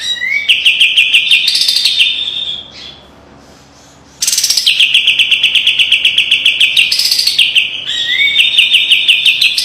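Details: White-eye (kapas tembak) master song for training, sharp and piercing with tight rapid trills: upward-slurred whistles lead into long, fast, buzzy trills of repeated notes, broken by a short pause midway.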